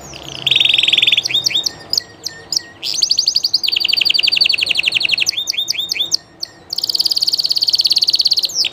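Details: Spanish Llarguet canary in live song: rolling buzzy trills alternate with bursts of sharp clipped chips. A long, very fast rattling trill stays loud and steady throughout.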